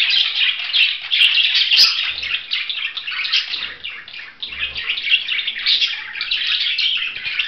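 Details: Budgerigar chattering in quick, buzzy twitters and squeaks, loudness swelling and dipping across the stretch, with a few soft low bumps in the background.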